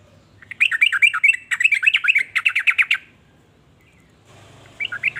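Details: Trucukan, the sooty-headed bulbul, in a series of quick gurgling warbled notes in two bursts, then a pause and a short, quieter chattering phrase at the end.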